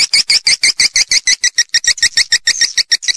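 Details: Swiftlet calls, calling and roosting sound (panggil + inap) in stereo: quick, evenly spaced metallic chirps, roughly three per second, high and clear, growing slightly busier toward the end.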